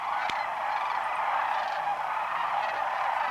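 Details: Thousands of sandhill cranes on their winter migration stopover at Whitewater Draw, southeastern Arizona, January 1, 2012, flying in around noon after foraging; a dense, continuous chorus of rolling, trumpeting calls overlapping without pause.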